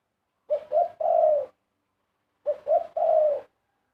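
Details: Two cooing phrases from a Spotted dove, each with two clipped coos leading into a longer, smooth, falling coo, about two seconds apart, with no other sounds.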